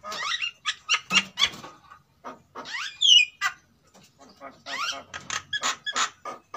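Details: Sulawesi white-necked myna pair, male and female, kept in captivity and singing in breeding condition as a lure sound. Mixed squawks, rising whistled swoops and rough chattering notes come in irregular clusters, with short pauses between.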